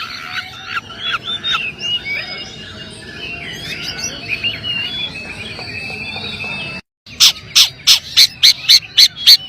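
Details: Long-tailed shrike singing a quiet, varied medley of twittering and scratchy chattering phrases. After a brief cut it switches to a loud series of harsh, rasping notes repeated about three times a second.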